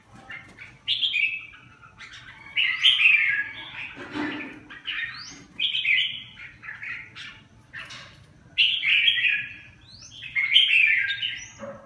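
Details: Red-whiskered bulbul singing: bright, chattering warbled phrases in short bursts of about a second, repeated every two to three seconds with brief pauses, over a quiet background.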